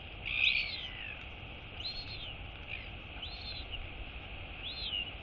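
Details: Female Royal albatross chick wheeing as her mother comes in to feed her, 23 August 2022: a strong first arched whistle, then three softer rising-falling whistles spaced about 1.4 seconds apart.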